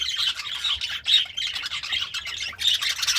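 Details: Budgerigar, happy and feeding on greens, chattering nonstop in quick, grating chirps and short squeaky notes, steady in loudness throughout.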